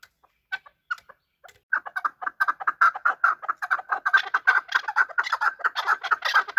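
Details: Chukar partridge during a fight: a few isolated clucks, then a steady accelerating chuk-chuk-chuk series of harsh mid-pitched notes, about two per second and rising in intensity.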